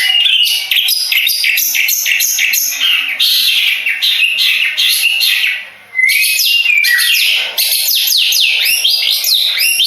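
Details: Long-tailed shrike from Madura, kept for song contests, pouring out a loud, harsh, rapid medley of scratchy chatter and sweeping whistled slurs, almost without a break.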